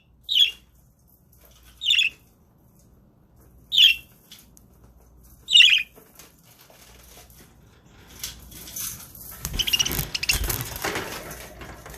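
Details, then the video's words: Budgerigars on a live webcam: four short, harsh squawks repeated about every two seconds, then a burst of noisy rustling and wing flapping with a faint chirp. "Webcam Live stream to make your budgies start singing"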